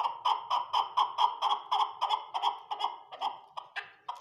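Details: Captive chukar partridges on a farm giving a rhythmic chuckle: repeated clipped chuk notes, about four per second, slowing after three seconds into a few spaced, softer notes.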